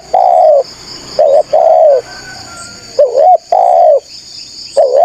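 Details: Lively spotted dove calling as bait for wild doves seeking a rival: sequences of long, smooth descending coos and shorter wavering notes in a repeating pattern, backed by steady insect buzzing.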